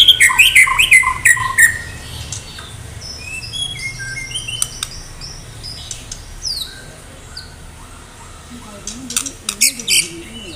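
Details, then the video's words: Medan White-rumped shama in full song before a contest: an opening burst of rapid, loud chattering notes, followed by scattered quieter whistles and clicks. "murai batu medan gacor siap ikut lomba || murai batu gacor full isian"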